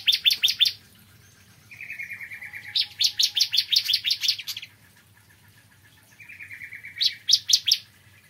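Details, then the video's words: Morning song of a bar-winged prinia, with bursts of rapid, sharp high chirps in series of four to ten, separated by a flat, buzzy trill that leads into each new burst. "Kicauan Ciblek Kristal Dipagi Hari"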